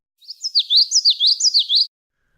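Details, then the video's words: Common yellowthroat song: a quick run of high, slurred notes going up and down in about three rolling, wheel-like phrases, with small gaps between elements and all notes at similar volume. No other sounds. "note here how the spaces between the elements are small which helps create that slurry quality"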